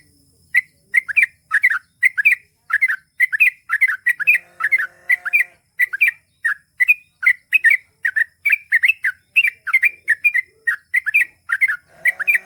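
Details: Sustained long-ropel gacor song of a Sooty-headed bulbul: loud, evenly spaced bubbling double and triple chirps continuing without break, with a brief faint tonal hum in the background.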